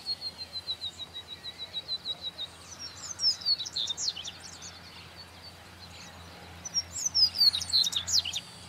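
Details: Double-collared seedeater, recorded 2018, singing a series of evenly spaced high thin notes that build into a quick twittering phrase, repeated later, over a low background hum.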